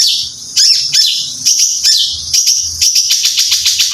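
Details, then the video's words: Caged competition songbird, trained and cared for to take part in bird singing contests, giving bright high chirps and sweeping whistled notes, spaced unevenly at first, then quickening into a run of short repeated notes near the end. "Peaceful Bird Chirping Sounds"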